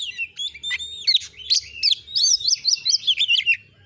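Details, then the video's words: Kacer, the Oriental magpie-robin, singing gacor for masteran use: loud whistled notes opening, then a quick series of repeated looping slurred whistles, about two or three per second. "Masteran burung Kacer AUDIO JERNIH BUAT ANGKAT EMOSI AGAR CEPAT ON NGOBRA,Kacer gacor"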